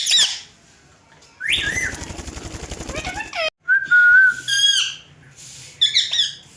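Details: Indian green ringneck parrots talking in a mirror; a high squeal, a rough buzzing rattle, then a steady whistled note and short squeaky speech-like phrases at the end.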